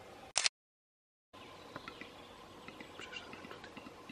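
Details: A Western capercaillie in Belarus gives one loud, sharp popping click, then after a pause a soft, hissing, scraping run with faint dripping ticks.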